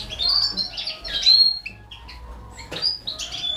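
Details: European goldfinch, Balkan form Carduelis balcanica, feeding four baby canaries; short bright chirps and squeaky notes scattered high, with loud bursts near the start and a sharp click near the end.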